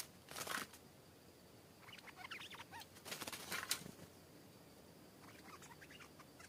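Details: Wild stripe-throated bulbul that arrived to answer a caged bird, calling back and attacking it fiercely; short warbled, quickly slurred notes in brief bursts, mixed with loud broadband rustling and flapping from the scuffle, over steady background hiss.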